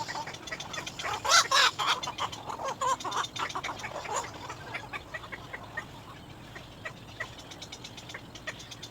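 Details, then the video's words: Baby little egret calling for its mother, giving loud harsh rasping cries in quick bursts that soften into faster, fainter ticking notes toward the end, with constant background hiss. "little egr, baby bird cries for mother"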